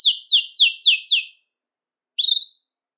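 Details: Belgian canary song to stimulate males and bring females into breeding condition: five drawn-out descending slurred notes in quick succession, then after a pause one short whistled note.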